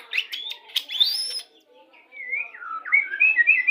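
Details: Pastol-type white-rumped shama singing a pairing lure that brings birds into breeding condition: a few sharp chips and a rising whistle, a brief pause, then clear, fluid, wavering whistled phrases.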